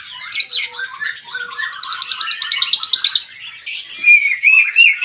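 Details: Varied song of a white-rumped shama, opening with sharp high notes, then a long fast trill of repeated notes, followed by clear whistled phrases at the close.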